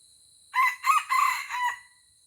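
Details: Red junglefowl from Aceh, a wild bird lured down to fight a decoy rooster, crows loudly: a harsh multi-part call of four rough syllables over about one second, the last drawn out and falling, with a steady high electronic whine behind.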